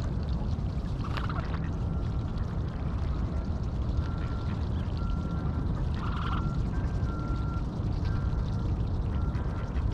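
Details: Juvenile geese by a bay in October 2022, gobbling corn alongside young ducks, recorded on a GoPro Hero8: thin high-pitched squeaks, some short and some held, come every second or two over a heavy low rumble of wind and water.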